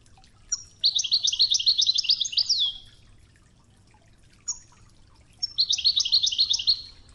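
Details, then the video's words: Wedani-style goldfinch Tougza from a training tape with flowing river sounds: two fast, evenly pulsed twittering phrases of sharp high notes, each opened by a thin whistle, with a short whistle between and soft water throughout. "الشريط الويداني الأصلي توغزة بنغمات خرير مياه الأنهار"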